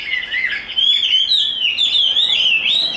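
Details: Chinese hwamei kept in a cage, tame and large, in fighting display, pouring out a brief run of fluid, warbling whistles that swoop up and down without pause.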